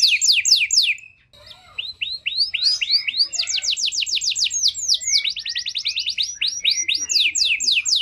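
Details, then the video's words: Canary singing as a lure to stir canaries lacking condition; a few descending notes, a short gap, rising slurred whistles, then quick rolls of falling notes in varied tours. "Pancingan JITU! Terbukti Ampuh Memancing Kenari Kurang Kondisi! Seketika Langsung Respon"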